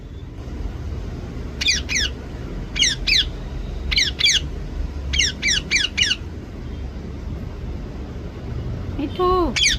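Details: Pet parrot kept indoors, trying to say "mummy papa". Sharp, high, falling chirps come in pairs and triplets every second or so, and a short wavering speech-like note ends the clip.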